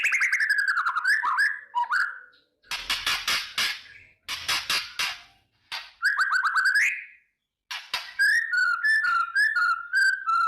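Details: Long morning kretekan sequence from a white-rumped shama, meant to boost emotion and fighting mood: looping whistled phrases, dense bursts of harsh rattling chatter, then a run of repeated warbled whistles.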